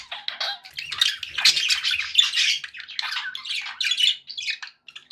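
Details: Pet budgerigars in busy, dense chatter: harsh squawks and scratchy warbling chirps run almost without pause, loud and close, tapering off near the end.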